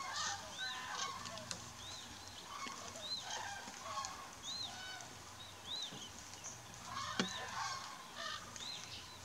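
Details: Common cranes calling in mist near Mariëndrebber in the Diepholzer Moor Niederung; a chorus of honking, trumpeting calls with short arched notes repeated through the stretch, several birds overlapping, over a steady low hum.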